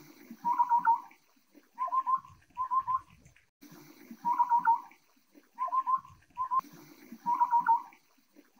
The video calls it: 小彎嘴(小彎嘴鶥)/Taiwan Scimitar-Babbler(Lesser Scimitar-Babbler)